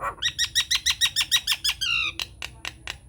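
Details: Nias hill myna lure song used to prompt silent mynas to reply, unedited: about eleven rapid, repeated downslurred harmonic notes, a few drawn-out falling whistles, then sharp clicks, over a faint constant high tone.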